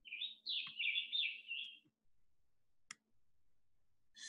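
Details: Indigo Bunting, a spring migrant that nests in grassland fields on Long Island's South Fork, calling on spring arrival: a bright, high phrase of quick sliding notes, some in pairs, under two seconds, then a pause, a sharp click and faint low hum.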